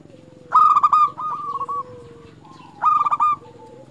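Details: Local zebra dove in lively song, used as a lure to get other zebra doves singing: two bright stuttering coo phrases, each a quick run of clipped notes then softer trailing coos, with a fainter lower coo between.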